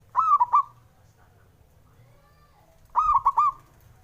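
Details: Male zebra dove, a local Javanese bird, coos to provoke rivals: a stuttering phrase of soft, rounded low coos in a quick bubbling triplet, repeated after about three seconds.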